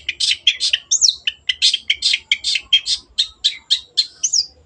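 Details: Long-tailed shrike singing energetically, meant to prompt other birds to sing: rapid, steady chattering of rich scratchy notes, broken by high whistled slurs.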